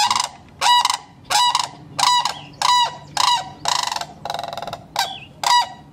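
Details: Nesting cranes in Kettle Moraine, Wisconsin, calling in a steady run of about nine loud, rolling, rattly bursts, each under half a second, spaced roughly every two-thirds of a second with short gaps of background hush between.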